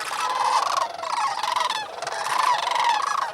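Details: Sandhill cranes calling shortly after sunrise at a pool in Bosque del Apache National Wildlife Refuge, New Mexico, on a freezing late-November morning after roosting on water; dense overlapping rolling, trumpeting calls from many birds, continuous chorus without pause.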